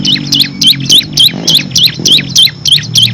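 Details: Bar-winged prinia (ciblek kristal) in rapid 'ngebren' song with six variations, used to train competition songbirds: sharp high chirps repeated about three times a second in a steady run, over a low droning hum.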